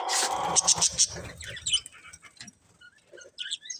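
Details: Budgerigars of a breeding pair: a loud burst of harsh chatter at the start, then sparse short high chirps and whistles fading out.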